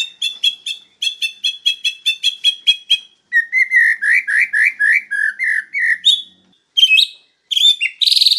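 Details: White-rumped shama master song for training birds: a long rapid run of repeated sharp notes, then a series of rich looping whistles, followed by short buzzy bursts at the end; loud and clean recording.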